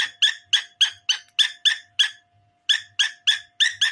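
A cockatiel gives loud, harsh, repeated chirps in a rapid, steady series with a brief pause.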